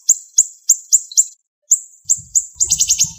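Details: Siri-siri bird training song: very high, sharp chips spaced about a quarter second apart, a brief gap, then a few more ending in a fast rattled flurry, over faint low rumbling.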